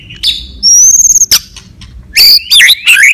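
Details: White-rumped shama fighting song used to rouse other birds, with a high sweeping whistle, a sharp click, then loud harsh bursts mixed with bright up-slurred whistles.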